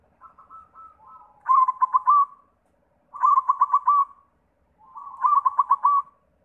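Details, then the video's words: White zebra dove singing to prompt other doves to sing: a soft warbling lead-in, then three loud phrases of rapid staccato pulses blending into a rolling coo, about every two seconds, with clean quiet between. "Sura Perkutut pitih PAMCINGAN SEMUA JENIS PERKUTUT"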